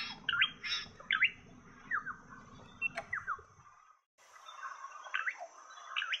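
Shining flycatcher giving harsh, rasping notes mixed with quick down-slurred whistles, uneven, about one a second, over a low rumble that fades midway.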